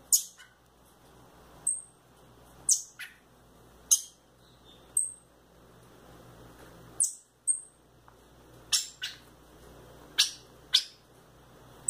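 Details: Thrush (sabiá) chicks, kept by their owner, giving short, sharp, very high squeaky calls, each a quick downward stroke, repeated irregularly about once every second, with brief quiet gaps and low background hum.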